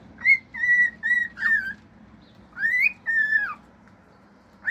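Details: Male pet cockatiel singing indoors: a series of steady level whistles broken into short segments, a pause, then a rising slur followed by a long falling whistle and a final upsweep.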